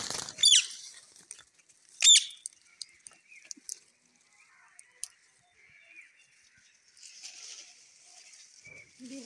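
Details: Pet Indian ringneck parakeet, also known as a Kashmiri parrot, a talking bird. Two loud, harsh screeching squawks come early, followed by faint clicks and soft chatter, with a hissy patch of noise near the end.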